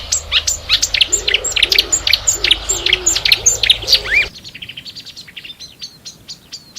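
Marsh warbler song: a fast, restless jumble of high ticks, trills and sharp whistles, with some lower warbled notes beneath, then an abrupt cut to a quieter passage.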